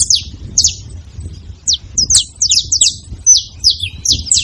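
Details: Saffron finch calling at a feeder: sharp high chirps sliding downward, given in irregular bursts, with a low rumble of background noise beneath.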